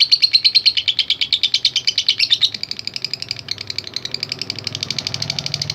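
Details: Long ngekek chatter from a fighter lovebird, a lure to provoke other lovebirds: loud, fast, scratchy notes that drop in volume midway yet keep chattering, with a faint background hum.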